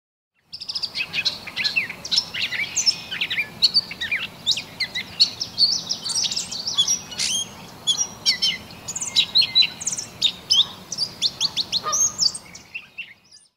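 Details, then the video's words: A Gray Catbird sings its long, rambling territorial song of varied squeaky, chattering and whistled phrases, delivered rapidly without pause, changing nearly every note; males sing from conspicuous perches in dense riparian thickets, especially at sunrise and sundown. "their songs are so intricate that you just want to stop and listen and give it your full attention"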